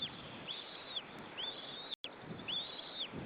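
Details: A lone white-tailed eagle chick in an Estonian nest on 25 April 2013 gives thin, high peeping notes, repeated roughly every half second over a steady hiss of background noise.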